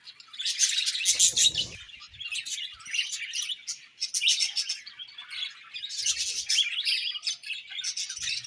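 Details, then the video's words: Chirping budgerigars give a steady flow of high, buzzy warbles and squeaky twitters, with a short rattling knock near the start. "Budgies Chirping Sounds"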